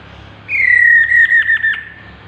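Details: Chestnut-capped laughingthrush calling: one clear whistled note that slides slowly downward. Its second half breaks into a few quick stuttering pulses before it fades. The background is quiet.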